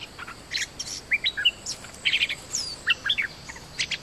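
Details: Bulbul decoy calling to lure wild birds, with a resident bird swooping at the cage. Short bright chirps and slurred whistled notes come in quick irregular bursts, with some brief buzzy high notes and a faint background hiss.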